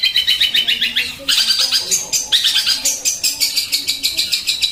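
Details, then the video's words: Sparrow repeating loud, high, clipped chirps in quick regular runs, the pitch shifting slightly between bursts, with faint low sounds beneath. "Tembakan greja"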